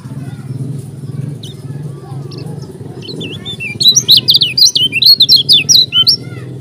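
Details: Lombok yellow-crowned bulbul singing: after a quiet start with scattered notes, a rapid run of loud, clear whistled phrases rising and falling in pitch, over a steady low background hum.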